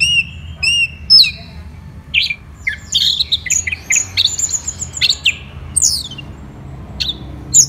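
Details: Orange-headed thrush, a captive songbird in Indonesia, in energetic song: two soft whistles, then a fast medley of chattering notes, sharp chips and high slurred whistles in varied bursts, over a low hum.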